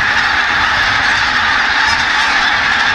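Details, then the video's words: A dense mixed flock of greater white-fronted and bean geese, many voices overlapping in a steady, unbroken babble of nasal, yelping honks. "Gänsegewusel (Blässgans, Saatgans)"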